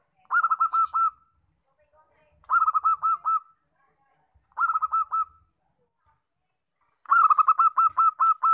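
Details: Local zebra dove repeating its rapid, bubbling coo phrase four times, each a tight run of pulsed notes about two seconds apart, the last phrase longest, against a quiet background.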